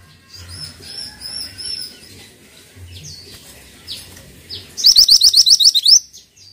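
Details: Pied triller in lively, energetic song. Thin high whistles and short downslurred notes come first. A loud, fast run of about nine sharp, ringing notes follows near the end. A faint low hum runs underneath.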